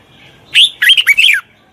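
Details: Red-whiskered bulbul, a wild-caught bird under training, delivers one brief phrase of loud, clear, looping whistled notes lasting under a second.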